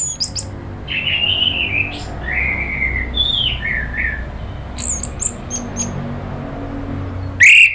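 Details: Orange-headed thrush provoked into agitated calling by a lure recording: clear whistled phrases near the middle, some sliding downward, mixed with sharp high chips at start and around five seconds, then a loud harsh burst at the end.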